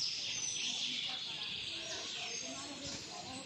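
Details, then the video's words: Birds chirping in an outdoor setting alongside ants and insects: a dense, continuous wash of high, thin twittering and fine whistled notes, many overlapping short chirps, over a low murmur of background noise. "birds chirping sound"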